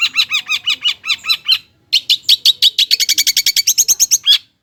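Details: Long-tailed shrike (cendet) lure song for lazy birds: evenly repeated buzzy chirps, a brief pause, then an accelerating burst of sharp notes ending in a strident call.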